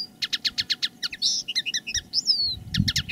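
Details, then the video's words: Decoy common linnet singing live: a quick series of regular chirps, then buzzy notes, clipped twitters and one long falling whistle, over a faint low hum. "Canto del Pardillo. Dos pájaros de reclamo"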